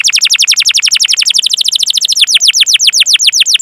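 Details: Canary song played to prompt young and silent canaries to sing: a fast, even trill of high downslurred notes that slows into broader, deeper-sweeping notes toward the end.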